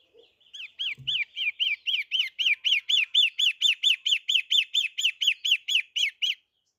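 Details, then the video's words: A steady string of around twenty ringing, up-and-down notes from a long-tailed shrike in energetic song, evenly spaced at about three to four per second, with a faint knock before it begins. "Burung pentet matahari gacorr"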